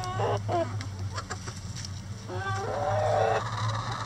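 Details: Rooster among backyard chickens pecking at a hanging head of cabbage in their coop; brief clucks give way to a rough, drawn-out crow near the end, with a persistent low hum.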